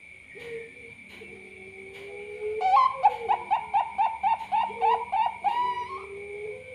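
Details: Perkutut Bangkok zebra dove singing: soft low coos open, then from mid-clip a fast run of clipped, bubbling coo notes about four per second, with a second, lower voice overlapping and a faint steady high tone behind.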